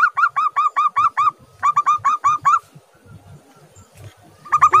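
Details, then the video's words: Local zebra dove sings to draw other doves into calling: quick runs of clipped, hooked cooing notes in short bursts separated by pauses, with a new burst starting at the end over a low background rumble. "perkutut lokal GACOR suara jenis perkutut langsung RESPON."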